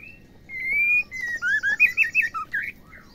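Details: Female white-rumped shama call, used to make males sing: a sustained level whistle followed by about eight quick, separate slurred notes, dropping lower and then rising again.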